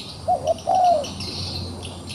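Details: Wild pigeon held in a trap and fighting back utters two brief coos and one long smooth coo, with a hissing insect chorus in the background.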